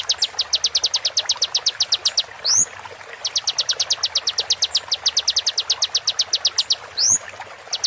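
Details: Konin song for tutoring caged songbirds, sharp 'tembakan' shots, slowed and processed with water therapy: long runs of fast, high, downslurred ticking notes broken by a single rising upward whistle, the pattern repeated twice.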